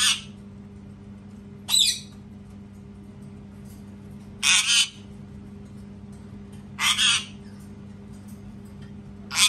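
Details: A parrot screams over and over, each burst a loud, harsh, rasping shriek, five in all spaced roughly two seconds apart, with a low steady hum underneath.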